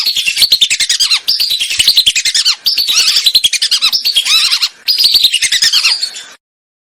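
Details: Lesser whistling duck recorded as a hunting lure in Indonesia: repeated rapid sequences of shrill whistled notes, many curving downward, in four or five phrases with short gaps, fading out at the end.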